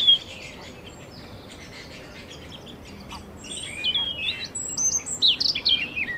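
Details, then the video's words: Canary starting with soft, scattered chirps, then breaking into a louder, rapid run of high whistled slides and trills in the last few seconds. "Canary Singing"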